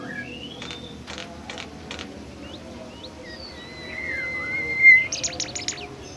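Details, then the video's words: A bimoli bird, a rare, shy species, gives four quick buzzy bursts, then thin high whistles sliding up and down, ending in a loud rapid chatter, over a faint background hum. "burung bimoli DIJAMIN NGAMUK dan GACOR"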